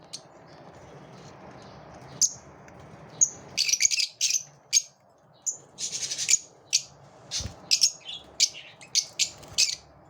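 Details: Lovebirds competing with each other, with a quiet start, then bursts of harsh, high squeaky chirps and chatter, irregular and closely bunched, against faint background hiss.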